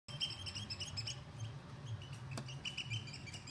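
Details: Oystercatcher giving a rapid series of loud, shrill piping notes, repeated many times in quick succession, over a steady low rumble.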